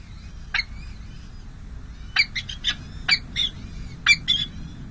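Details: Peregrine falcons nesting at San José City Hall on 5 May 2022, a difficult first feeding of two small chicks: loud, harsh rasping squawks in quick bursts of two or three, over faint thin high peeps and a low hum.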